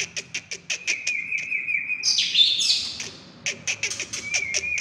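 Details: Caged White-rumped shama from Indonesia, a promising bird for hanging-cage contests, singing rapid repeated sharp high notes over a steady whistled tone, with a loud buzzy flourish in the middle.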